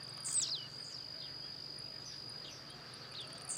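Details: Wild blue-black grassquit singing while hopping about in natural surroundings; one short, high, sharply falling note near the start, with a constant high insect drone throughout.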